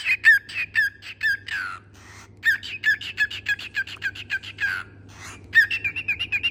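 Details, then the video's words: Pet parrot singing indoors: rapid series of harmonic chirps and squawky notes around mid-high pitch, delivered in quick bursts with short pauses, some notes sliding downward, over a steady low electrical hum. "My parrot is singing!!!"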